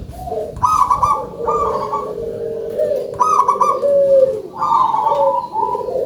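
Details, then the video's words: Zebra dove of a local strain, noted for its big voice, sings clear phrases of fast, bubbling coos in four bursts about a second apart, backed by softer, lower cooing throughout. "PERKUTUT LOKAL SUARA BESAR"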